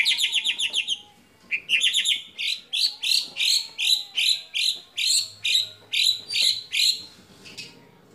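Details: White-rumped shama singing a mimicry-filled competition phrase favoured by judges. A quick burst of notes, a short pause, then a steady series of loud, repeated metallic chirps at about two per second.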